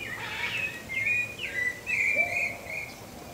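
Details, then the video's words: Pale-breasted thrush of Brazil giving a few whistled notes, including upward slurs and a longer level whistle, over soft background noise. "CANTO do SABIÁ-BARRANCO (TURDUS LEUCOMELAS) PALE-BREASTED THRUSH"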